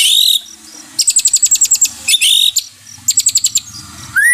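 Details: White-rumped shama song played to restore a stressed caged bird's fighting spirit: loud high slurred notes alternating with rapid bursts of clicking pulses, with low background hum.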